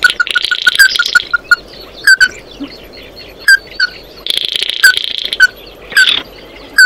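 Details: Oriental white-eye calling the flock: a quick string of bright notes over buzzy chatter, then spaced single slurred chips and another buzzy burst.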